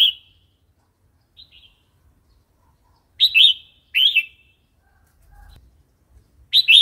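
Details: Red-whiskered bulbul wild song played to entice new or older wild-caught birds and teach young: isolated bright liquid phrases, paired near the middle, separated by silence and a faint low rustle.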